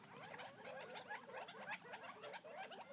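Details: Flock of wild Gambel's quail feeding near Florence, Arizona, giving a steady jumble of quiet, rapid chirps and curling little notes that overlap without a break.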